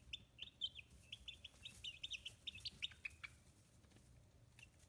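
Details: High, rapid peeps from young free-range chicks aged fifteen days in Hiroshima Prefecture, Japan, bunched into a busy run of chirps over the first three seconds, then thinning to a few faint calls over a low background hum.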